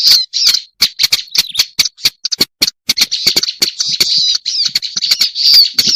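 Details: Black-browed reed warbler lure sound: rapid, irregular scratchy chatter with whistled slurs, punctuated by crisp clicks at roughly three per second, with brief silent gaps early on.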